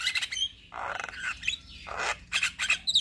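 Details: Javan myna, a caged bird's energetic gacor singing used as a lure to prompt stressed or quiet captive mynas to sing: harsh, broad squawks and rasping notes alternate with short high chirps and whistles in an uneven burst.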